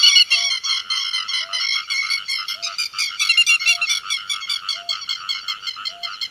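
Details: Grey-headed lapwing calling to gather its flock, giving a fast, steady stream of sharp, metallic chattering notes. A faint low beep repeats roughly once a second throughout.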